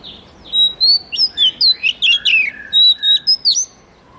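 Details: An Oriental magpie-robin delivers a varied, continuous phrase of bright whistles, twisting slurs and a few harsher notes, roughly a dozen elements in under four seconds.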